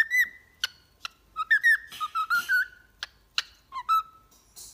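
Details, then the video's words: Pet cockatiel training whistles: an opening held note, scattered sharp chirps, and short wavering whistled phrases over faint background noise. "Training Cockatiel to singing"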